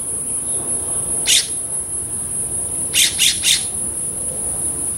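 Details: California Scrub Jay bathing in Los Angeles, California, in June 2022. A single scratchy rasp is followed after a pause by three rapid harsh notes, all over a continuous thin high-pitched whine.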